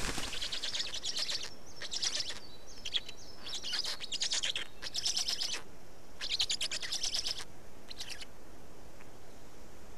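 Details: Black storks at a nest in Estonia during feeding, 19 May 2019, mid-afternoon: a run of high, raspy, buzzy bursts of about half a second to a second, separated by short gaps, with a steady background hiss.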